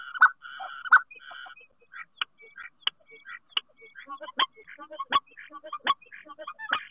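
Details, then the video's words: Common starling at a nest box in Théding, France, 10 March 2023: two buzzy rattles open, followed by a loose string of sharp clicks, short squeaks and chattering notes spaced irregularly. "Concert au nichoir - 10/03/2023 - Les Étourneaux Sansonnet de Théding"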